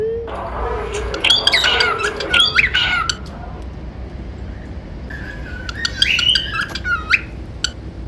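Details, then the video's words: Pet cockatiels whistling and singing, kept for whistle and 'peekaboo' training: two bursts of warbling, rising and falling whistles mixed with sharp squawky chirps, the first longer, then a quiet pause before the second, over a steady low background hum. "Cute Cockatiels Whistling & Singing"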